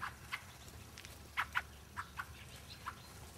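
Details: Fieldfares at Lee Common on 9 February 2012 giving short, faint, dry chack notes, single or paired, spaced irregularly about every quarter to half second, over a hiss of background noise.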